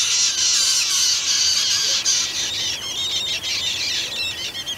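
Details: Striated pardalotes at a nest in a stone wall under a shed, where a pair raised two young. A continuous loud, harsh, hissing high-pitched chatter carries quick repeated notes and fades into broken rasping bursts near the end.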